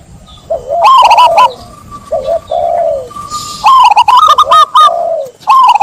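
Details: Zebra dove song alternating low soft coos with louder bursts of quick staccato trilled notes, ending in a strong run of clipped repeated notes.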